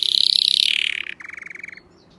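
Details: Canary delivering a loud, intense high trill that slides gradually downward, followed by a lower, rattling buzzy phrase.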